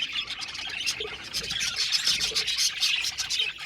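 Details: Aviary budgies chatter in quick, overlapping high chirps and buzzy warbles. The notes come rapidly and irregularly from many birds at once.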